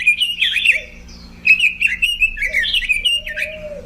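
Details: Robin delivering a lively, bubbling warble of rising and falling whistles, pausing briefly midway, ending with a long, level low whistle; soft steady hum behind.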